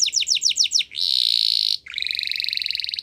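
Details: Spanish Timbrado canary singing: a run of six rapid falling notes, then a sustained buzzy trill, then a lower pulsed trill, all high-pitched and loud.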